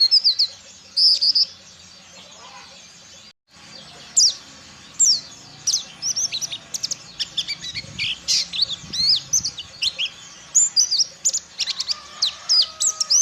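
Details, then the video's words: White-eye of the Ciremai type learning ngalas, a wild-bird song style: high, sharp chirps and short slurred whistles in scattered bursts. A brief silence comes early, then a denser, steadier run of quick notes. A faint low hum sits underneath. "BURUNG PLECI DAKUN CIREMAI BELAJAR NGALAS"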